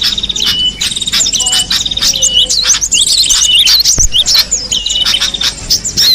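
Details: Cinereous tit heard in the wild: bright, rapid chirps and looping whistled notes, some in quick repeated series, with a single sharp knock midway.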